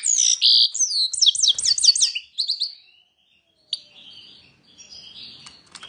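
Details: European goldfinch singing: about two seconds of rapid, high liquid twittering with quick rising and falling trills, then brief sharp chips and faint quieter notes trailing off.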